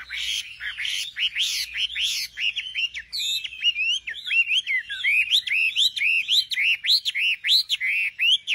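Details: Nightingale singing: opening harsh, noisy notes give way to a long, steady string of quick whistled arcs repeated over and over, each note rising then dropping.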